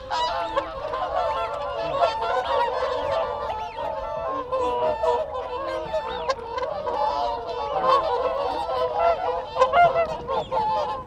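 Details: Close-up whooper swan group exchanging contact calls. Steady overlapping bugling honks fill the whole stretch, with a few brief louder peaks. Calling wigeon and Canada geese sit behind the flock.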